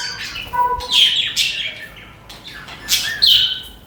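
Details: Pet budgerigars (parakeets) chirping and chattering: bright, squawky chirps in two louder bursts, separated by softer, rambling chatter in a small room.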